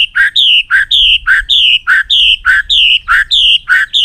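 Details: White-rumped shama repeating a loud two-part phrase about seven times: a low short note followed by a longer high descending whistle, steady and rhythmic.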